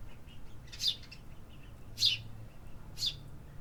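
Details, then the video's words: City birds in an urban setting: three short, sharp, descending chirps spaced about a second apart over a low steady hum. "Urban Birds Sound Effects"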